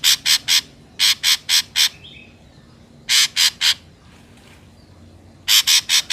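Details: Ashy drongo in a wild recording used to lure drongos into traps: harsh, rasping, broadband notes given in rapid bursts of three or four, with pauses of a second or more between bursts.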